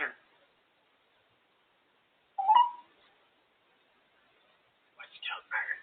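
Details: A female grey parrot perched on top of her cage makes three short bursts of chattering, speech-like noises, some rising and falling, with quiet pauses of about two seconds between them.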